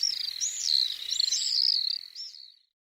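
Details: Common swift giving a shrill, rasping scream about two and a half seconds long. The pitch wavers in high buzzy loops, then breaks off into silence.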